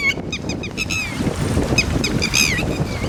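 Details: Red-wattled lapwing with chicks uttering a rapid string of clipped shrill notes, then a few spaced, louder falling cries, against persistent low-pitched wind noise.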